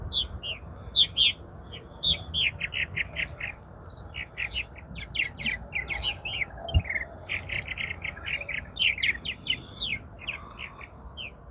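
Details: Purple Martins at their colony in mid-April, later than usual: a busy, continuous chatter of short chirps and gurgling notes, often in rapid runs, with steady low background rumble.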